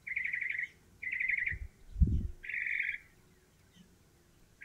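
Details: Northern mockingbird singing from its favourite perch atop a stove pipe, also preening; three bursts of rapid chattering, warbled phrases, each under a second, with low thumps and handling noise in between.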